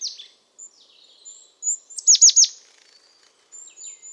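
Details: European crested tit singing: thin, very high notes, then a quick run of three or four sharply down-slurred notes around the two-second mark, followed by faint high wisps. No other sounds.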